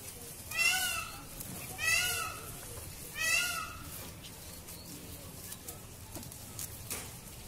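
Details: Screams of a displaying peacock during its dance: three loud, nasal, wailing cries repeated about every 1.3 seconds, each bending downward, followed by a quieter stretch with a few faint background sounds.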